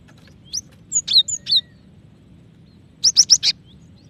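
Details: Female cinereous tit calling the male, a call said to speed up other tits' singing; scattered high chirps early on, then four quick sharp notes in a tight burst near the end, over faint low background hum.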